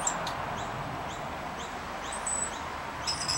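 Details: Three rainbow lorikeets feeding on bread crumbs on the ground give short, high rising chirps scattered through the clip, with a few sharper piercing notes over steady background hiss.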